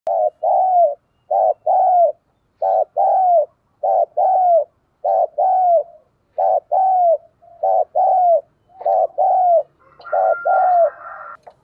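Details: Decoy spotted dove cooing to stir wild and decoy doves into calling, song style called thổ sấm: a fast series of paired mellow coos, each a short note then a longer falling one, repeated about every second, with a faint hum near the end.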